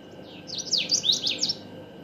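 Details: Common waxbill singing a brief, high-pitched phrase of about six buzzy, zigzagging notes, each sliding down then up, delivered quickly over a low constant hum.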